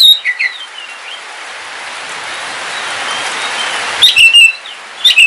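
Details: Home-kept oriental magpie-robin of the black Kalimantan form during rain: short whistled notes open the recording, a long stretch of rain hiss follows, then loud clipped whistles and chirps return near the end.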